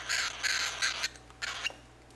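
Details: Young cockatiel chick demanding baby food with three quick harsh, wheezy squawks, then a short pause and one more raspy burst before the sound fades into quiet room noise.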